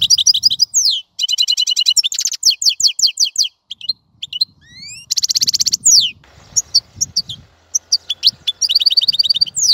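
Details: European goldfinch song: a rapid, dense run of high twittering, liquid trills and buzzy rattles with sharp downslurred notes, nearly continuous, faint low background rumble beneath.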